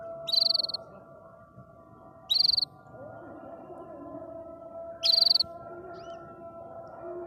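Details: Short rapid trills from a canary singing happily, three bursts of quick high pulses, each about a third of a second long and spaced two to three seconds apart, with a steady hum behind.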